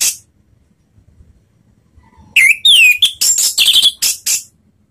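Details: Anis merah (orange-headed thrush) ngeplong lure sound to trigger singing: after one short chip and a pause, a rising whistle, a swooping slurred whistle and a string of loud, buzzy, rapid notes.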